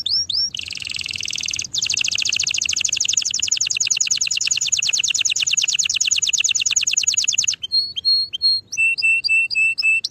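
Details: Canary singing a long, fast, even trill of rapidly repeated high notes lasting about seven seconds, then switching to clear whistled pure notes and chirps.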